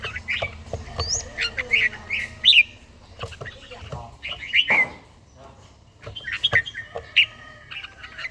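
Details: Red-whiskered bulbul singing in the morning, a mature bird with a wild-type voice kept for daily song training in Gia Lai; short whistled, warbling phrases rise and fall amid clicks and overlapping chirps.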